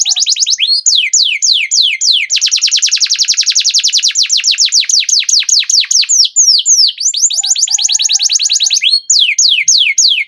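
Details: A Belgian canary sings a long, unbroken training song meant for young canaries and birds that have stopped singing: fast, high, descending whistled notes that shift into rapid trills and back to sweeping slurs.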